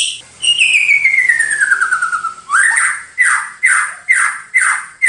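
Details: White-rumped shama master song for training birds: a long, slowly falling whistled note, then a run of five loud, sharply downslurred notes repeated about every half second, clean and without other sounds.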